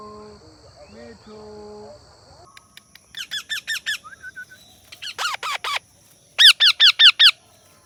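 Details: Indian ringneck (rose-ringed parakeet) giving shrill, harsh screeches in quick bursts of four or five, after a brief stretch of humming, voice-like tones.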